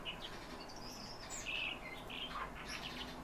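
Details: A calandra lark gives short singing phrases of clear whistled notes and buzzy chirps, some rising and falling, with a louder whistled passage in the middle.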